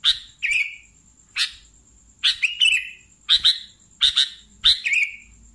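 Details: Sooty-headed bulbul calling: sharp, bright chips, several with a short downward-sliding tail, given in pairs or singly about every half second to second, over a steady faint high-pitched whine.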